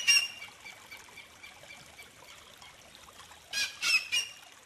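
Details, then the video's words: Whistling heron (Syrigma sibilatrix) call: a sharp, high whistled note opens, a thin faint whistle lingers, then three quick shrill bursts come about a third of a second apart. "Canto de la Garza Chiflona"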